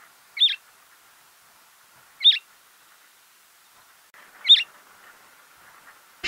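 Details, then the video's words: A Cape Sparrow in a garden in Gauteng, South Africa, gives three short, bright chirps about two seconds apart over a faint background hum, ending with a sharp click. "Cape Sparrow Bird Call"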